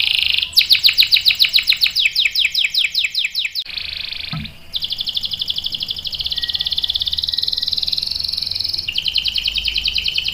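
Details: Canary in full song, 'ngerol' long roll: a loud series of sharp down-slurred whistles, a short break, then a long, even, rapid buzzing trill held for several seconds.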